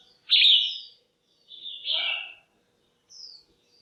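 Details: Female red-whiskered bulbul in a cage, her call used to arouse males or for pairing: a strong rising-then-falling whistle, a second warbled note with lower harmonics, then a faint high thin note.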